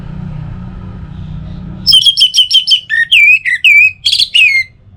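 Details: Orange-headed thrush song used as a morning and evening lure to get other birds singing: after low rumbling, a loud burst of quick ringing notes gives way to slurred, downward whistled phrases for about three seconds.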